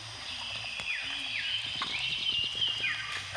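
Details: Mangrove whistler in Brunei, recorded in 2013, giving drawn-out whistled notes that rise and fall in smooth slides, somewhat faint, accompanied by scattered clicks and light background noise.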